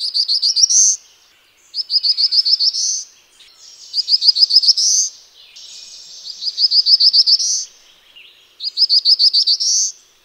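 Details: Five songs from a black-throated blue warbler, each a quick run of high wheezy notes rising into a sustained buzzy ending, delivered at steady intervals with short gaps.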